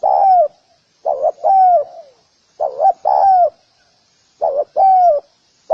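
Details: Repeated cooing of a spotted dove: paired short notes ending in a long, slightly descending coo, delivered roughly every one and a half seconds in clean, quiet surroundings.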